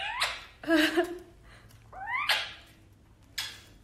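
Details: A male blue Indian ringneck parakeet kisses his Alexandrine parrot companion, making four quick smacking kiss sounds mixed with short rising squeaky chirps over about four seconds in a quiet room.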